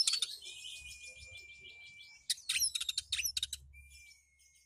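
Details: Oriental magpie-robin kept at home, opening with a harsh chattering warble, then a quick series of loud sharp clicking chirps, accompanied by a long thin steady whine.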